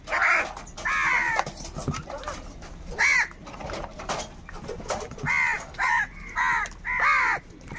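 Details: Crows calling, said to be fighting over food: a series of harsh, hoarse caws with arched harmonic bands, some single and some in quick pairs, with gaps of low background noise between them.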